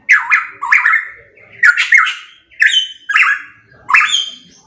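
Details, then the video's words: Pitohui giving a loud song of harsh, slurred whistles, each phrase starting low and sweeping upward before leveling off, about six phrases in under five seconds, clean recording. "Masteran Burung Pitohui MP3 _Suara Kenceng"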